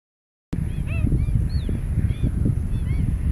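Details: Several pied stilts (Himantopus leucocephalus) in Malaysia, October 2021, give short, yelping, slightly nasal notes overlapping in a quick, irregular chatter over a steady low rumble of wind.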